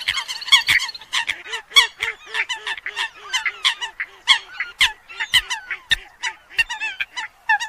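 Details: Eurasian coot calls on a lure recording for the 2020-2021 hunting season: dense overlapping nasal honking notes from several birds, rapid and irregular, with a run of short arched lower notes repeating steadily beneath them.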